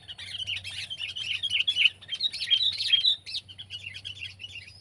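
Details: Sooty-headed bulbul, from a comparison of kept and wild birds, giving quick bubbly chirping phrases of short bright notes, strung together over nearly five seconds, with a low steady hum underneath.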